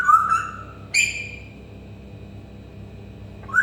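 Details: African grey parrot imitating sounds: a bright whistle that dips, then a sharp upward squeak leading into a long, thin held tone, and a last rising whistle after a pause.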